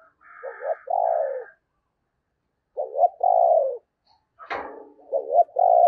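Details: Spotted dove used as a lure for wild doves in the Tet season, repeating a quavering short note and a long falling coo, with a sharp click partway through.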